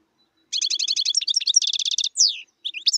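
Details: Wild European goldfinch song: a quick run of bright, tinkling high twittering notes in rapid repetition, broken by a slurred descending whistle and a few sharp chips, in a clean, quiet setting.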